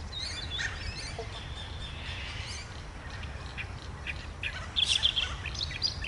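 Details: Reed warbler perched on thick reeds at a large pond's edge at Shankland Wetlands, Woodlands Historic Park, Greenvale, singing and calling with scattered high, harsh chattering and churring; another reed warbler, possibly at a nest, calls from a bush opposite; low rumble.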